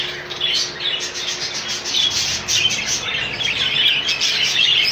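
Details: Colony of rainbow budgerigars kept indoors: continuous dense chattering and warbling from many birds at once, overlapping squeaks and chirps without pause, with a faint steady electrical hum beneath.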